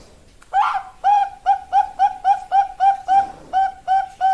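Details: Female Bangkok zebra dove calling to a male, a lure recording: a rapid run of about thirteen short, clipped coos at steady pitch, a slightly louder opening note, faint room hiss behind.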